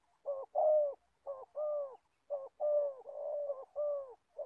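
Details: Old decoy spotted dove from Gia Lai, Vietnam, kept for trapping wild birds, calling a run of low, hollow coos in short-then-long pairs, about four phrases in under five seconds, with no other sounds.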